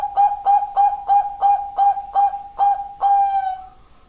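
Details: Zebra dove, Bangkok perkutut variety, cooing in a quick series of eight clipped notes before finishing on one longer drawn-out coo that fades away.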